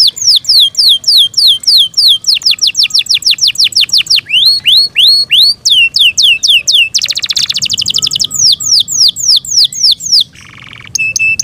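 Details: Yorkshire canary singing loud, fast tours of sweeping whistled notes, several per second, broken by rattling trills and one brief buzzy burst; identified as Belgian canary.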